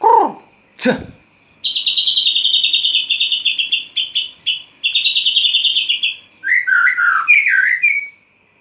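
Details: Caged white-rumped shama singing at dawn right after its cage cover is opened: a sharp downslurred note and a click, then long rapid trilled phrases of repeated notes, ending in a lower warbled twist.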